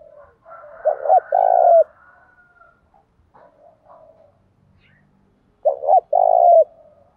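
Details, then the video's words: Spotted dove singing in the 'thổ' voice mixed with 'thúc rút đấu' fighting coos, played to prompt newly caught birds to coo along; two loud, mellow, hollow coo phrases about five seconds apart, with faint softer coos between. "cu gáy giọng thổ pha thúc rút đấu, giúp bổi nghe gáy theo"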